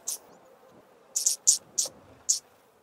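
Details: Male Yellow-crowned Bishop singing from a high perch on a small tree beside long grass where females forage: five short, very high hissing buzzes, spaced irregularly against a quiet background.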